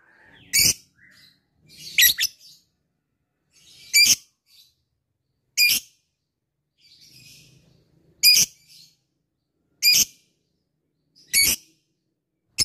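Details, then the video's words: Labet bird calling an opponent, as a fighter, with single short, piercing high notes spaced about every one and a half seconds, quiet softer sounds between them. "LABET memanggil lawan | ngetik ngekek fighter"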